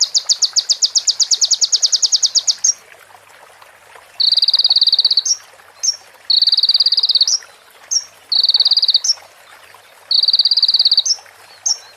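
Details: Konin sunbird training song, said to include female prinia and ciblek phrases: a long pulsed rattle opens, followed by regular buzzy trills, each closed by a sharp rising flick and then a short pause.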